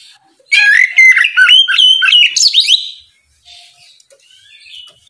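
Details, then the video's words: Oriental magpie-robin singing in ngeplong style in the morning to draw a rival's reply; a two-and-a-half-second burst of loud, quick whistles and chattering notes stops abruptly, followed by soft faint whistling. "Kicau suara burung Kacer ngeplong memancing lawan di pagi hari, sekali dengar langsung nyaut!"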